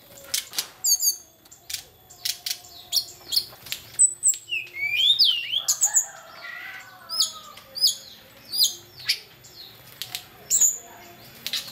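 A hill blue flycatcher gives a busy run of high chips, sharp ticks and slurred whistles in quick succession, with a faint low hum behind.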